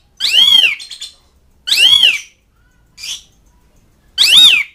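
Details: Asian pied starling calling toward mates and rivals: loud, arched, raspy squawks with a whistled ring, spaced more than a second apart, plus one short softer squeak between them.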